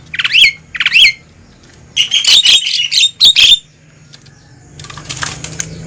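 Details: Noisy lure call of Javan myna, used to draw wild mynas toward a trap: two rising whistled notes, then harsh raspy squawks in quick bursts and a scratchy chatter near the end.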